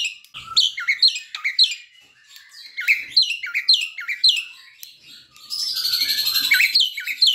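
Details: Asian pied starling, young and still learning its song, played as a lure: rhythmic chirping phrases repeating about twice a second, ending in a dense buzzy, rattling stretch.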